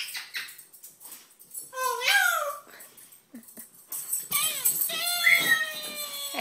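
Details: Parrot mimicking the "Oh no!" cry: several falling, wavering harmonic notes between squawky bursts and rustling, the last a drawn-out descending wail, in a small indoor room.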